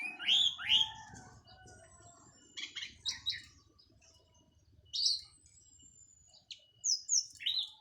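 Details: Post-moult local orange-headed thrush from Cililin in open teler song: loud slurred whistles and scratchy notes in irregular bursts, long thin high whistles between phrases, quiet gaps in between.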